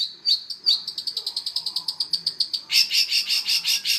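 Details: Long-tailed shrike singing two high whistles, a rapid ticking trill, then loud, harsh buzzy notes.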